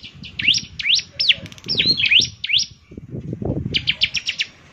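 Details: Bar-winged prinia (ciblek semi) in full song, a distinctive voice said to draw other ciblek semi into singing; a few sharp sweeping notes, then a quick burst of short chips over low-pitched background noise.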